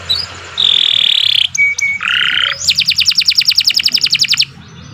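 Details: Canary song for coaxing young or silent canaries: a sustained buzzy tone, short clear notes, a lower buzz, then a fast pulsing trill of high repeated notes.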